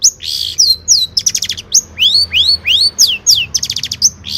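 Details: Long-tailed shrike in full 'gacor' song with rich 'isian' fill. It alternates bright downslurred whistles, clusters of quick ticking notes and rising sweeping whistles in a fast, varied sequence.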